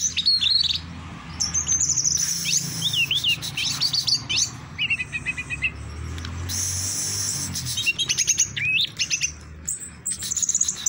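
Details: Orange-headed thrush in the prized 'teler doyong' song style, a bird kept by hobbyists, delivering a varied run of bright whistles, trills and rapid chattering phrases high in pitch, with short pauses between bursts, over a faint low hum.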